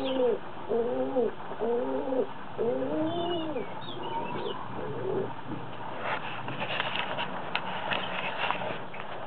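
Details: Doves kept by their owner, said to have fallen in love. A run of four swelling, bowed coos comes in quick succession, then softer muttering. Clattering and scraping noises take over toward the end.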